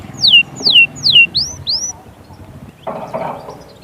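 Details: Goldfinch song: five whistled slurs, the first three falling and the last two rising and arched, followed by a short burst of low noise.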